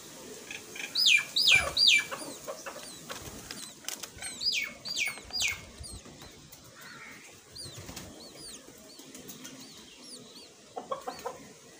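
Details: A mother myna that has brought food and is feeding her baby gives bursts of squeaky, rapidly repeated notes in short clusters, then quieter high chirps and clicks, with faint background twittering.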